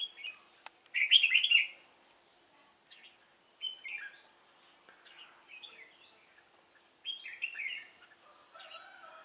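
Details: Red-whiskered bulbul of the Cánh ruồi type singing as a decoy while wild birds are trapped, 3 March 2017: bright warbled phrases, several short bursts spread across the clip with quiet gaps, one louder burst near the start.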